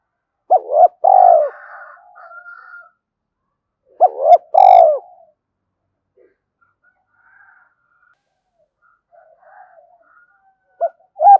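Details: Spotted dove call used to stimulate other doves: two short phrases of a clipped note plus a throbbing falling coo, softer faint cooing between, and a brief note at the end.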